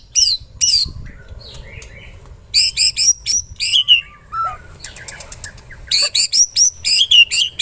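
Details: White-rumped shama pancingan, a lure song for prompting other shamas to sing: groups of sharp high chirps in quick bursts, separated by short gaps, with a lone lower whistle midway.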